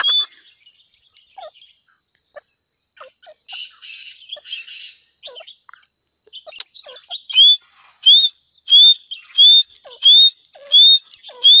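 Grey francolin: soft chattering notes build into a loud series of shrill, upslurred whistles, repeated about every two-thirds of a second.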